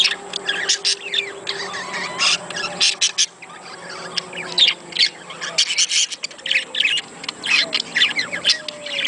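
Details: Budgerigar chatter meant to encourage mating: a continuous stream of quick, scratchy chirps and warbled notes, rising and falling in loudness, over faint steady humming tones in the background.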